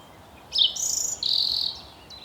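A European Robin gives a brief, thin, high-pitched phrase: a sharp falling note, then drawn-out, shimmering tones, over a faint steady hiss.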